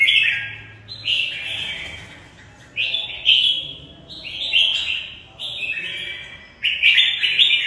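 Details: Red-whiskered bulbul, a competition bird, giving its fighting song: bright, slurred whistled phrases of a second or two, repeated in quick bursts with short gaps, loud and clear against a quiet background.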